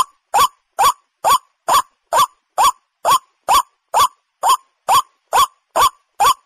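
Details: A waterhen gives its hunting call, a short, harsh, rising croak over and over, about two per second, in a steady, mechanical rhythm with nothing else heard.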